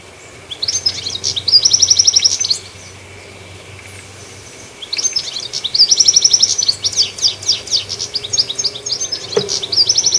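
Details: Goldfinch perched on a treetop, singing loud, high twittering phrases of rapid chirps and liquid trills, two bursts separated by a pause of about two seconds.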